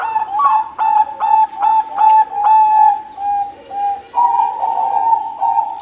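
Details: Bangkok-type zebra dove with a big, sweet voice sings continuously: evenly spaced, short, mellow coos about twice a second, then a brief rising phrase followed by longer, fuller notes.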